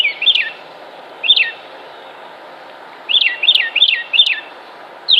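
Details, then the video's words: Male northern mockingbird singing in the breeding season to attract a mate: bright, downslurred buzzy notes delivered singly, then in a fast burst of four repeated notes, with quiet pauses between and a faint low hum behind. "WHAT NOISE DO MOCKINGBIRD MAKE - Northern Mockingbird Sound Effects"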